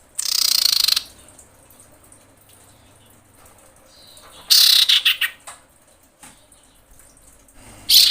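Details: Female common iora in breeding condition calling for males, giving loud, dry, buzzy rattles of about a second each that slide slightly downward. Three bursts are spread across the stretch, with quiet gaps between them.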